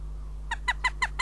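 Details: Northern goshawk at its nest in Riga on 14 April 2017: five short, harsh, nasal kek notes in rapid succession, each slightly falling, about six a second, over a steady low hum.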